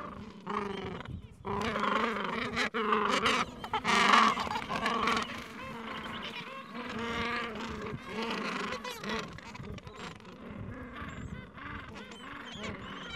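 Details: A gentoo penguin colony in the Falkland Islands, with chicks two to three weeks old, on a mild afternoon. Dense braying chorus of harsh harmonic honks overlapping roughly once a second, with a louder braying burst near the start.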